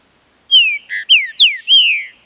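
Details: Green-winged saltator singing against forest sounds: four clear, slurred whistles, each sliding downward, delivered over about one and a half seconds, with a steady high insect-like tone running throughout.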